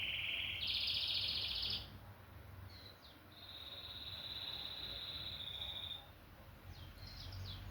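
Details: Canary song: bright buzzing trilled tours, a loud high roll, then a long steady trill, with short sweeping notes near the end and quieter gaps between phrases.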